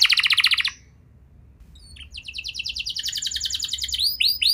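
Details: Canary song meant to set young canaries singing: a loud buzzy trill, a pause of about a second, then a soft trill that swells and ends in curved whistled notes.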